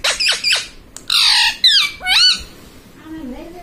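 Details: Pet ringneck parrot speaking words such as mummy papa: a burst of short squawks, then grating, wavering syllables and two upward-curving calls, fading into a soft low warble.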